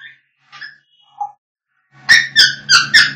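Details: African grey parrots singing: a few soft, scattered whistled notes, then four loud harsh calls in quick succession, about four per second.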